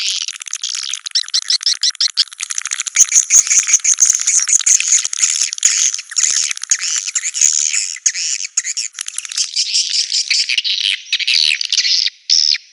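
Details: A long swiftlet chorus: rapid repeated trilled chirps, then steady high buzzy twittering mixed with dry clicks, ending in a few separated bursts.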